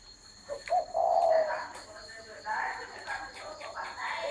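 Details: Spotted dove opening with a short rising note and then a drawn-out low coo, after which soft human voices take over against a steady hiss.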